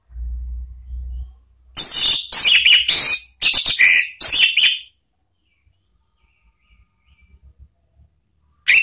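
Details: Harsh, scratchy chirps from an Orange-headed thrush, a lure sound for training cage birds in ngeriwik and ngeplong style, given in several grouped bursts, then quiet with a low hum at the start.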